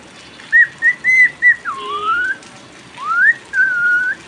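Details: Pet cockatiel's song in the rain: three short clipped whistles, then a long glide that drops and climbs slowly, then a rising slur and a held tone, over a background hiss of rain.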